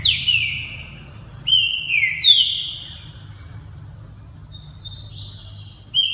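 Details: Green-winged saltator, a caged multi-champion competition bird with proven offspring, singing loud, clear whistled phrases that slide steeply downward, two bursts close together, then softer high twittering notes near the end over a steady low hum.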